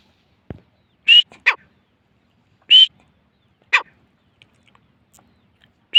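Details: Grey francolin (teetar) calling at Layyah: harsh, grating high notes given in quick pairs, the first a strained squeal and the second a rasping drop, with the pairs repeated after pauses of about a second and a half, in otherwise quiet surroundings.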